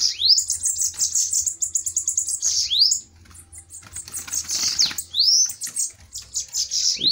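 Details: Bananaquits in a fighting song duel: long, high, sizzling trills with rising swoops at the phrase ends and a scratchy, rustling passage midway.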